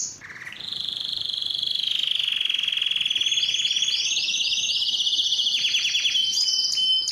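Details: Loud breeding song of a Belgian canary meant to attract females: a sustained buzzy high trill held for seconds, overlaid by quick repeated rolled notes and ending in sharper chips.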